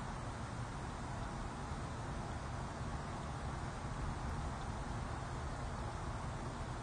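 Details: Steady broadband hiss with a low rumble beneath it, with no animal calls audible.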